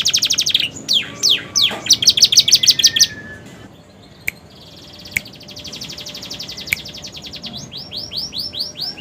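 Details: Romeo canary in fresh new plumage singing a long song filled with prenjak and ciblek imitations: rapid high chirps repeated several times a second, then a quieter sustained buzzy trill broken by sharp clicks.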